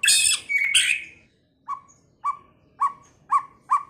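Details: White-rumped shama singing: a rich burst of loud, varied whistles and warbles, then a run of short, sharp, mid-pitched notes repeated about every half second.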